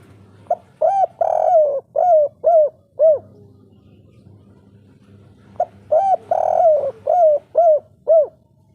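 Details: Spotted dove (derkuku, tekukur) singing in the local Kuk 3 style, a natural voice played as a lure to make birds call: two phrases of about six low hollow coos, the second coo long and wavering, with a three-second pause between phrases.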